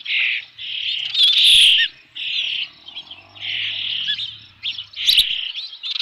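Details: Osprey at the nest holding a fish, Dunrovin Ranch, 3 June 2018, about 5 PM, repeating shrill, rasping squeals of about half a second each, with a faint low hum in the background.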